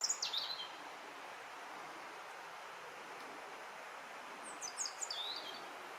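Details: European robin singing outdoors: a thin, high, warbling phrase opens, followed by a long pause and then a second sweet, tumbling phrase of quick high notes. Steady soft background hiss throughout.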